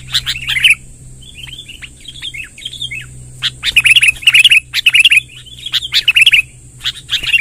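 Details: Sooty-headed bulbul long rolling song meant to gather wild bulbuls: loud chattering phrases, a softer passage of short downslurred whistles, then busy overlapping bursts of sharp bubbly notes, with a low hum and high whine behind.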